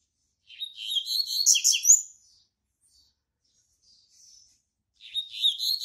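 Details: Double-collared seedeater (Sporophila caerulescens), a singer and tutor bird in a breeding stock: a fast, bright, twittering phrase of high chirps and trills, a pause of a few seconds, then again.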